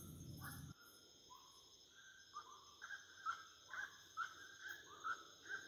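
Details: Wood rail song at nightfall opens after a brief burst of noise. Clipped, rising notes follow at an uneven pace, growing louder toward the end, with constant high-pitched insect buzzing underneath.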